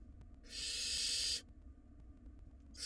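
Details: Nestling barn owls in a wild nest box battling over their meal give a loud, harsh, steady hissing screech of about one second; another begins at the end.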